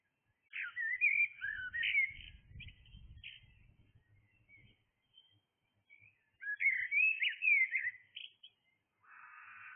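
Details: Early-morning blackbird song, two mellow warbled phrases about six seconds apart, the second ending in a short scratchy rasp, with some low rumbling noise between them.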